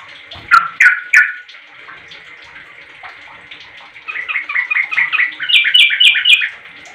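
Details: Sooty-headed bulbul calling to get other bulbuls to answer: bright, bubbly chirping notes, a short burst of three, then a rapid run of repeated rising-falling phrases growing louder, over a faint steady hiss.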